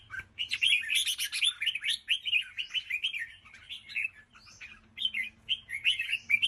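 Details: Red-whiskered bulbul singing the chattering 'ché' song style: rapid, warbled phrases of bright slurred notes, with a dense burst near the start and short repeated chirpy motifs through the rest, a faint low hum beneath.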